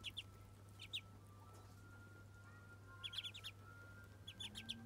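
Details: Muscovy ducklings during their first bath: sparse bursts of high, brief peeps in small groups separated by quiet gaps, with a constant low hum underneath.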